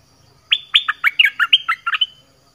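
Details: Orange-headed thrush song used as a decoy to lure wild birds: a rapid series of about nine loud, clear whistled notes, each sweeping down from high to mid pitch, over a quiet background.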